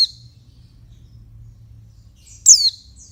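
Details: A female oriental white-eye calls to excite males. The tail of one note opens the clip, then a long quiet gap, then a single bright, high chirp dropping quickly in pitch. A low hum runs beneath.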